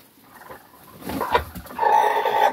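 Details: Rooster among young roosters said to fear the old roosters; a rough building call breaking into a loud, sustained crow held for about a second at the end.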